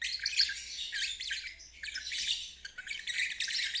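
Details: Lovebird ngeriwik trill used as therapy for birds that stopped singing; scratchy high chatter in two swelling bursts with a quieter dip between.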